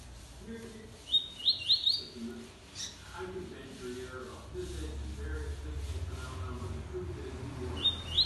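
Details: Lined seedeater singing: a quick cluster of high, sharp whistled notes early on, then a pause filled with people talking and low rumble, and another short bright burst of notes at the end.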